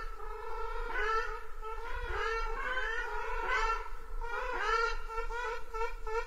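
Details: Ruddy shelduck uttering loud nasal honks in irregular bursts, each note harmonic-rich and slightly falling, spaced about a second apart, with a faint low hum underneath.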